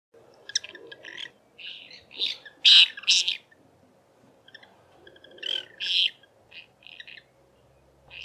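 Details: A pair of White-rumped Swifts roosting at dusk in a Lesser Striped Swallow's nest they took over, where they raise chicks every summer, gives high, buzzy twittering bursts in irregular clusters, rising and fading, over a soft low hum.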